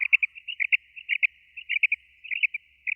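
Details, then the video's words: Common quail (Coturnix coturnix) call used for quail hunting: quick, liquid, high, clipped three-note 'wet-my-lips' phrases repeated about every half second, no other sounds. "Batair ki Awaz"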